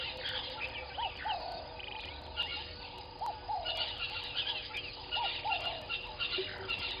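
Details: Ring-necked doves (Streptopelia capicola) at Gowrie dam waterhole, Djuma Game Reserve, Sabi Sand, South Africa, 06:22 on 20 January 2021: low, hoarse cooing phrases about every two seconds under a busy dawn chorus of higher chirping and whistling birds.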